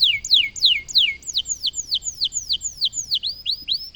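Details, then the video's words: Loper canary singing persistently: a steady series of clear, downward-sweeping whistled notes, about three per second, evenly spaced over a quiet background. "Kenari loper gacor"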